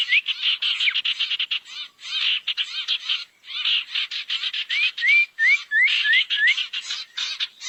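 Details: Barn owl call used as a lure to gather owls: bursts of grating, hissy screeches separated by brief pauses, followed by a string of six quick rising whistles.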